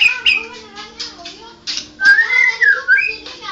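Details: White-rumped shama, a national champion songbird, giving soft chattering notes followed by a long, clear, wavering whistle and further bright whistled phrases.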